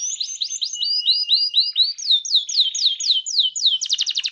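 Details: A canary performing 'gacor cengkok mewah' song: repeated falling whistled slurs in quick succession, a steady run of sharper downslurs, ending in a fast high trill.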